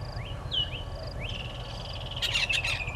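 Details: Red-billed hornbill at its nest tree, Gowrie dam waterhole, Djuma Game Reserve, Sabi Sand Wildtuin, South Africa, morning of 30 January 2020. Rising whistled notes from other birds come first, then a harsh, fast pulsed burst of clucks closes the recording.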